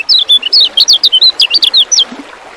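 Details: Kecial kuning song meant to make caged contest birds sing; a brisk burst of roughly fifteen piercing looping notes, some dropping and some rising, ending abruptly after two seconds.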